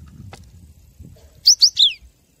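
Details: Cinereous tit phrase from a master recording for captive birds: three quick high notes, the last a falling slur, after a stretch of low rumbling noise.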